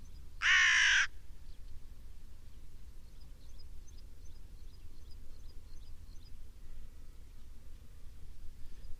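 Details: Black crow giving a single loud, harsh caw at the start, followed by a steady low rumble and faint distant chirps.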